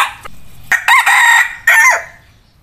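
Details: Hybrid red junglefowl decoy rooster kept for breeding, crowing while posing: a short burst, then a loud raspy crow in several hoarse segments over about a second, ending in a falling tail, with a short quiet gap.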